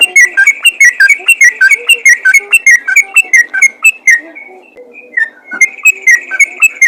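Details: Loud fighter-type yellow-vented bulbul used as a lure for other bulbuls, pouring out quick, rich whistled notes in a fast jumbled series, briefly pausing near the end before resuming the chattering phrase.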